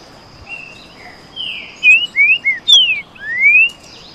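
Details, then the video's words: Two green-winged saltators with "canto boi" song dueling: a quick run of loud, clear, slurred whistles, some rising and some falling, in about two seconds, over a thin steady high hiss. "Baderna de trinca ferro canto boi."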